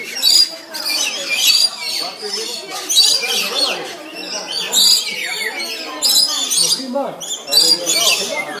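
Lories give harsh, shrill screeches and squawks in repeated bursts, several birds calling over one another with high chattering notes; some voices in the background.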